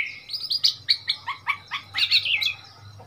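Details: Oriental magpie-robin in Thailand, a wild bird that came to a cage, recorded 15 February 2021, sings a rich, varied run of clear whistles and sharp chirps, about three notes per second, over a faint low hum.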